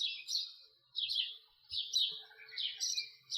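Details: House sparrow (Passer domesticus) call: bright, chirpy cheep notes in rapid bursts about every second, high-pitched and slightly buzzy, with no other sounds.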